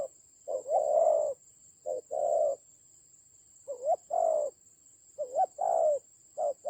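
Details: Spotted dove in a fierce decoy fight, Central Highlands of Vietnam, October 2020: uneven coo phrases, some short notes bending up and down before longer coos, with a pause midway, over a faint steady whine.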